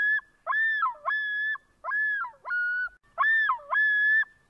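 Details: Loon from Lithuania, one of the country's four loon species, calling loudly in clear tonal phrases that rise, hold and then dip sharply, repeated about every second in a wavering, yodel-like series against a silent background.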